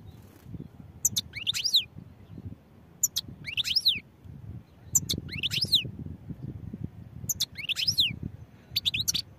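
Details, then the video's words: Repeated short phrases from a European goldfinch, each a quick cluster of high twittering notes sweeping down and up, arriving about every two seconds above low-pitched background noise. "goldfinch songs | goldfinch singing"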